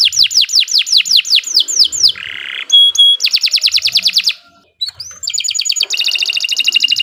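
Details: Canary song: a run of downward-sweeping whistled notes about three per second, a buzzy harsh note, a fast high trill, brief pause, then a rising whistle into further rapid trills.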